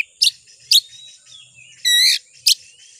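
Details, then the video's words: Oriental magpie-robin (kacer) lure call; four loud harsh notes about half a second apart, one a buzzy rippling burst, with a faint whistled slur behind. "Suara Pancingan Kacer Agar Cepat Emosi Gacor ! Pancingan Paling Ampuh Buat Menaikan Emosi Kacer"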